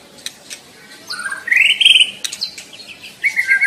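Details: White-rumped shama singing in the wild: brief whistled phrases that slide upward into a bright sustained whistle, then a short rising phrase and a final warbled note, with quiet gaps between.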